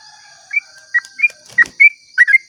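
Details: Sooty-headed bulbul giving its long 'ropel' song at dawn, used to lure other bulbuls into singing; six or seven short, bright, slurred whistled notes scattered over two seconds, over a steady high insect hum.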